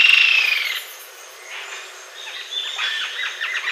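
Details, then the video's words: Green-tailed jacamar opening with a loud burst of high trilled notes, then a quiet gap, followed by a scattered run of softer, thin piping notes. "Canto Da Ariramba De Cauda Verde, Green-tailed Jacamar"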